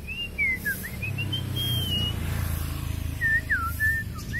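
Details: {'text': 'Very long-tailed white-rumped shama from Kalimantan singing with imitated phrases: bright whistles rising and dipping in quick succession, a held note near the middle, more swooping whistles at the end, over low rumbling background.'}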